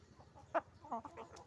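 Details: Chicken farm, roosters and hens: two or three short clucks over a low steady hum.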